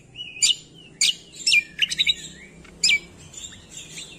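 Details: Greater green leafbird master recording for stimulating quiet songbirds: loud, sharp, slurred chirps with rough buzzy edges, a cluster of quick notes, then softer warbling phrases.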